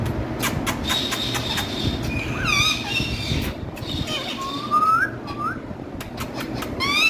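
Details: Green speaking parrots giving short rising whistled calls and quick chirp series at irregular intervals, over steady low background rumble.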